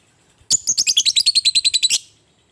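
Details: Fighting lovebird in the ngekek style, used to provoke other lovebirds into calling: a loud, rapid chatter of about fourteen harsh, high chirps, evenly spaced over one and a half seconds, then silence.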